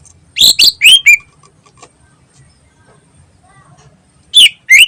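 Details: Ngentrok song of a greater green leafbird used as a lure: a quick cluster of four sharp, high chips, a silent gap of several seconds, then two more chirps.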